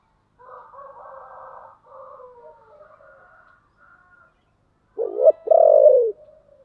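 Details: Spotted dove in the 'giọng thổ' style giving an urging call: soft, raspy, wavering notes for several seconds, a pause, then a loud, deep, two-part coo with a broken start and a drawn-out tail.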